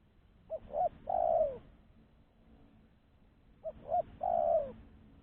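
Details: Lure call of a spotted dove kept for catching wild doves: two matching phrases about three seconds apart, each a short coo, a second coo and a long, smooth descending coo, with quiet low background rumble.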